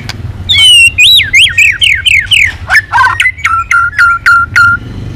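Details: White-rumped shama, flicking its tail continuously and provoked into full intense song while switching voices in a long swiftlet-style string. Loud whistled, slurred notes repeat rapidly, about four per second. Faint low hum underneath.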